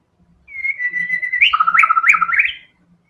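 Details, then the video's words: Fighter-style song of a white-rumped shama with varied fill-ins: a long steady whistle that jumps into a lower trilling section broken by sharp high flicks, lasting about two seconds. "TEMBAKAN MURAI BATU GACOR BONGKAR SEMUA ISIAN FULL FIGHTER"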